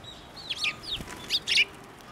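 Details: Sparrow coming to a hand for food at a Tenmangu shrine, 3 March 2024, gives a few quick, high, down-slurred chirps within two seconds, ending in a louder rough note.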